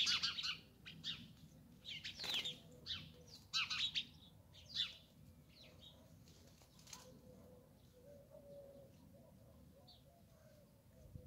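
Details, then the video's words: Sparrows giving scattered bright chirps in short bursts over the first five seconds, followed by wing flaps, then a quieter stretch with faint low tonal sounds and soft background noise. "Цвркутање врабаца прија и опушта"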